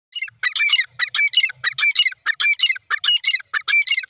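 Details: Grey francolin (teetar) calling: a rapid series of harsh, chirpy bursts, about one and a half per second, slightly uneven, bright and high, with a faint low thud in the background early on.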